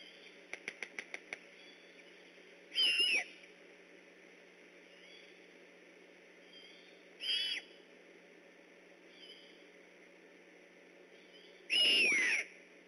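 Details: At night on 3 October 2015, a great horned owl on alert beside the Decorah eagle nest gives three rasping, hissy screeches about four to five seconds apart, after a short burst of rapid clicks.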